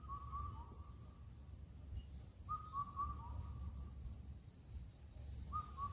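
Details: Indian cuckoo on Cheonmasan, Incheon, Korea, known for calling all night at the end of spring. Three rhythmic four-note whistles arrive at about three-second intervals, with distant thin high bird notes and a low rumble behind them.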